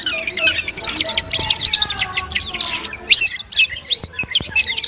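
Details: Long-tailed shrike song from pre-competition training audio: rapid scratchy twittering, then a series of separate loud arched whistles with short gaps between them.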